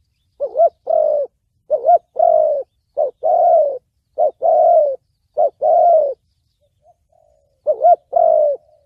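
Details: Spotted dove in 'thổ bầu' voice, used for trapping and decoy practice: wavering short coo followed by a longer falling coo, repeated five times, then a quiet pause with a faint murmur before calling resumes.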